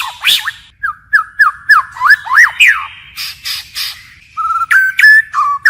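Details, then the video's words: White-rumped shama delivering a forest-style song with continuous voice changes; clear repeated whistled notes, rising and falling slurs, a few harsh scratchy bursts, then ringing whistles. "Chích chòe lửa hót giọng rừng hay đảo giọng liên tục"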